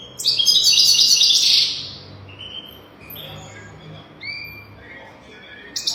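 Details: European goldfinch song, recorded for teaching young goldfinches to sing: a loud, dense burst of buzzy, tinkling twitter, then a run of separate clear whistled notes that step up and down in pitch.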